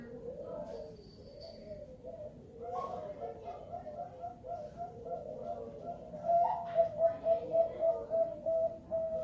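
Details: Zebra dove singing in the 'Baeya' song style: a run of short cooing notes repeated about three a second, ending in a louder rolling staccato series, over indoor background noise and faint voices.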